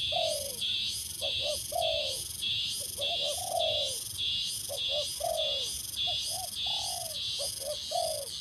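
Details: Spotted dove in training as a branch decoy bird repeats its coo: a pair of short low notes and a longer falling hoot, about five phrases, under a loud pulsing cricket chorus.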